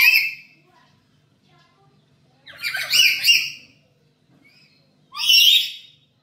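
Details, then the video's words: Black-capped lory kept at home, calling actively as a lure recording for training other birds: three loud, harsh, rasping screeches, a brief one at the start, a longer broken burst midway and a final one near the end, with quiet gaps between. "Pancingan Burung Nuri Kepala Hitam di rumah"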